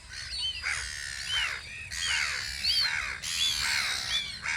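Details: Gulls guarding a post on Audru polder in spring, with arched, downslurred crying calls repeated in loose bursts, overlapping voices from several birds, and a continuous noisy wash in the background.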